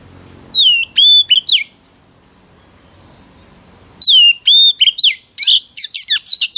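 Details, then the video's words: Female Oriental magpie-robin song to excite a male: two phrases of clear sliding whistles separated by a pause, the second ending in a fast string of scratchy, buzzy chips. "Chòe than mái HUÝT KÈM THÚC TRỐNG kích trống căng lửa"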